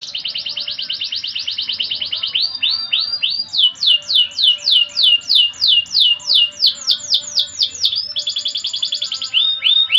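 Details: Canary singing a lively gacor song in the Indonesian cengkok mewah style: fast repeated trills and rolls, including a long series of rapid swooping notes about twice a second, then buzzy high trills, continuous and loud.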